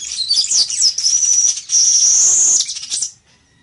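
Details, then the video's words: Village weaver in full song: a continuous, loud, sizzling, wheezy buzz with a high whistled line running through it. It lasts about three seconds, then stops abruptly. "ASI ES EL TEJEDOR Y SU HERMOSO CANTO [Ploceus cucullatus]"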